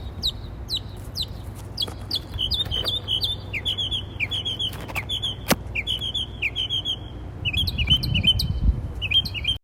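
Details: Birds chirping in trees as they communicate: a busy stream of short, high chirps and clipped twitters, many overlapping, with a few sharp clicks and a steady low rumble underneath.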